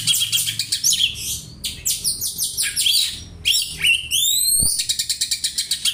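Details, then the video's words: Oriental magpie-robin imitating house sparrow, used for tutoring: fast, varied chirping, then a series of rising, swept whistles, ending in quick, regularly repeated sharp chirps. "Kacer nembak burung gereja , cocok bwat masteran"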